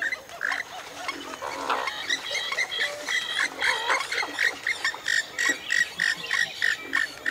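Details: Western swamphen (Porphyrio porphyrio) with a rhythmic, accelerating sequence of clipped nasal squawks, roughly three per second by the end, loud and harsh, against steady low background noise.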